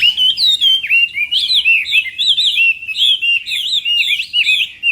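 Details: Chinese hwamei in morning song training for singing contests, pouring out a continuous loud run of rich whistled slurs that rise and fall, with looping phrases and no pauses.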